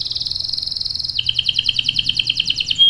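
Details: Canary in full song, a lure song meant to draw other canaries into singing and a long roll; a steady buzzy trill gives way after a second to a fast rhythmic warble of repeated chirps.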